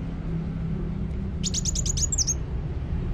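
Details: Actively singing kolibri wulung sunbird: a quick burst of high, sharp ticking notes running into a brief whistled flourish, over a steady low rumble.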